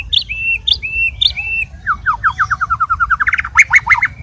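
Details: Fighter-style song of a white-rumped shama: three sharp whistled notes with falling tails, then a fast run of about fifteen descending slurred notes that ends in loud, rising, ringing phrases.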